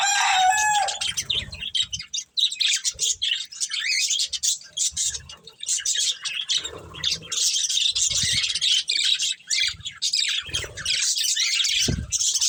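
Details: Budgerigar breeding pair chattering nonstop: raspy, high twittering warble with quick squeaks and buzzy notes, a brief whistled note at the very start, occasional soft low knocks in the background.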